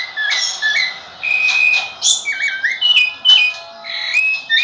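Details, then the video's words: Rufous-bellied thrush song: clear whistled notes and warbled phrases that rise and fall, delivered in quick succession with short gaps, over a low background hum. "sabiá laranjeira"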